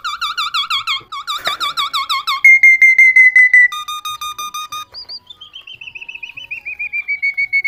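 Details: Myna said to talk gives clear, flute-like trilled whistles: a wavering harmonic trill, a steady held tone, then a long gently falling vibrato whistle.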